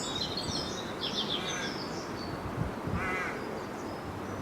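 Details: Rook calling at a treetop nesting colony in early March while adults carry food to their young; a loud, grating, nasal caw stands out clearly, with high chirping of small birds and steady background noise.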